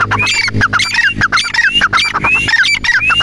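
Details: Grey francolin (teetar) calling: rapid repeated series of rising whistled notes, each followed by harsh clicking syllables, running about 100 per minute in a continuous chorus without pause, against a faint low hum.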